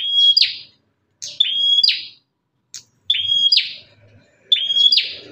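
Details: A fierce Bar-winged prinia calls to draw in other prinias, giving four clear phrases, each a sustained high whistle ending in a harsh, buzzy crackle, separated by short silences.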